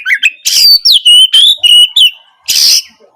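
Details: Oriental magpie-robin song for coaxing a silent bird to reply. Harsh buzzy bursts frame a long, level, pure whistle broken into several linked notes.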